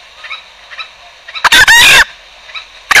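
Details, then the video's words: Green junglefowl lure call used for trapping: one loud, harsh, raspy crow burst of about half a second midway, with a short clipped start of another at the end over a faint hiss. "suara pancingan ayam hutan hijau"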